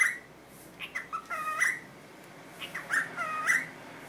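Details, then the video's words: Pet cockatiel imitating the Korean greeting 'annyeong' or 'annyeonghaseyo': two short bursts of harmonic, voice-like syllables with gliding, rising and falling tones, separated by a quiet pause in an indoor room. "왕관앵무 안녕이란 말을 배우다"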